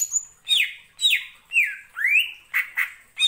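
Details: Greater green leafbird song used as a lure to stir other birds: loud, slurred whistles sweeping down and then up, followed by short harsh squawky notes, about two per second.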